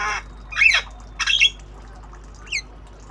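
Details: Javan myna, tame, obyogan style while learning sounds: two loud harsh squawks close together, then a short thin rising whistle after a pause.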